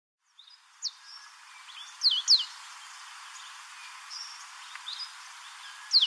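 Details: African pied wagtail at Port Alfred, South Africa, gives a few sharp, high chirps in short bursts, with a loud double note near the middle, over a steady background hiss.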